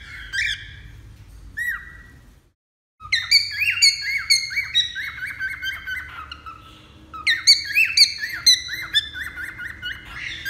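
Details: Cockatiel singing a long, busy warble of sharp chirps, bent whistles and ringing harmonic notes, broken by a brief silence, then resuming in dense bursts over soft background hum.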